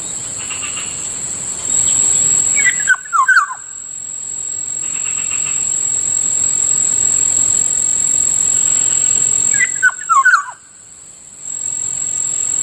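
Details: Black-naped oriole calling in the morning near a rice field, two bouts of slurred, descending fluty notes several seconds apart over a steady high insect whine.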